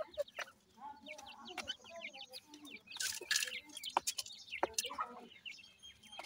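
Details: Several grey francolin chicks peep continuously while feeding, in thin bent chirps. Loud noisy bursts and clicks from pecking or movement break in around the middle.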